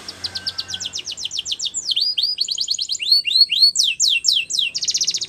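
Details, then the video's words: Male canary singing a long run of quick sweeping notes, tempo and pitch shifting between phrases, finishing with a buzzy rapid roll. "Canary finch Singing | Canary Sounds Male"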